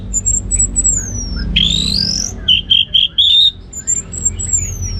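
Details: Caged orange-headed thrush in northern Bali singing varied, very high whistles: long descending slurs, a rising sweep, then a run of short bright notes, clearly loud over faint low hum.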